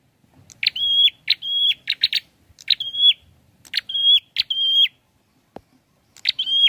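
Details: Prinia song: clipped rasping notes each leading into a steady high whistle, some phrases doubled or tripled, repeated through the recording with a brief click near the end.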